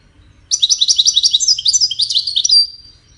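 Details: Goldfinch song, described as part of courtship and communication: a two-second burst of rapid, high, twittering notes with buzzy and trilled elements, all bright and close, over a quiet background.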